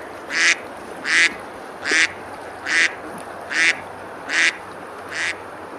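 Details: Ducks on a river at Besalú, a medieval village in Girona, Spain, on a summer day while eating and splashing: seven loud, nasal, harsh quacks in an even series, one roughly every 0.8 seconds, over a faint low background hum.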